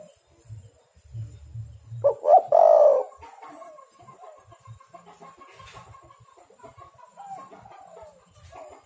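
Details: Lively spotted dove coo used as a lure to draw in and trap doves: one strong phrase of two short notes and a long falling coo, followed by faint distant twittering and soft background noise.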